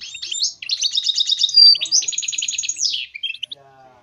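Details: Goldfinch mule, a hybrid finch, in continuous song played to encourage other birds to sing: rapid buzzy rattles, a clear drawn-out whistle near the midpoint, more pulsed trills, and a falling sweep before a short chirped ending.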